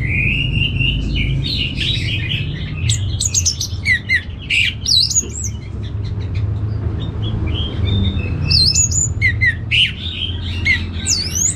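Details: Orange-headed thrush kept caged in Singaraja, Bali, singing a varied, harsh-edged medley: a steady whistle, buzzy squawks, rapid chips and high sweeping upslurs, over continuous low background noise.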